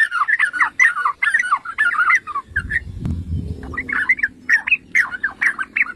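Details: Yellow-vented bulbul song played to provoke other bulbuls, choppy bursts of gurgling, bubbly notes, broken by a short lull with a low thud and hum midway before the chatter resumes.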